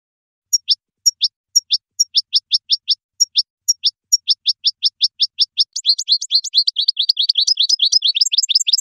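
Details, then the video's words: A goldfinch sings high, thin, downslurred notes, spaced at first, then quickening into a dense, tumbling twitter, with no other sounds. "Song of the Goldfinch"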